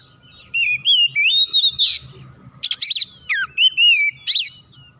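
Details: Oriental magpie-robin (kacer) recorded as a stimulating therapy for energetic song; rapid sequence of clear looping whistles, sharp downward slurs and harsh buzzy bursts, delivered loudly and continuously.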